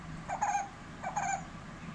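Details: Brown-headed barbet at a window giving two short throaty notes, each a quick doubled phrase, spaced under a second apart over a low steady hum.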